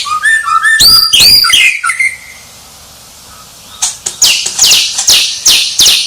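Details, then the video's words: White-rumped shama singing a quick tumbling whistled phrase, a pause, then a run of harsh, rasping high notes. "Suara Murai Batu Sang Juara"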